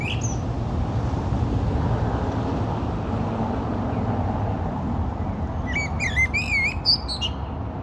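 A common blackbird gives a brief fluting phrase ending in a high, squeaky twitter, over a steady low rumble of traffic.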